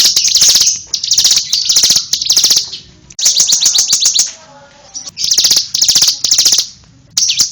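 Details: Bar-winged prinia singing in loud bursts of rapid, high, ringing notes, each burst about half a second long, separated by short pauses, with a brief quieter stretch near the middle.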